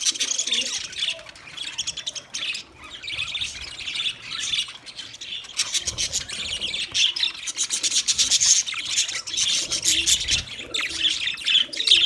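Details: Chirping budgerigars for a lonely bird: long stretch of dense, raspy, high chattering from several birds, continuous and scratchy with short squawky accents throughout.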